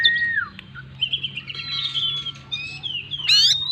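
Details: Oriental magpie-robin (kacer) singing in full voice with varied mimicked phrases: a falling whistled slur, then sustained high whistles and a sharp, steeply rising buzzy note near the end, over a faint low hum.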